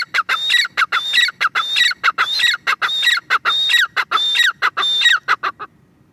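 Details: Teetar, a partridge, calling in a fast loud series of harsh three-part phrases, each with a high thin whistle over lower rasping notes, about ten phrases in six seconds before fading to quiet.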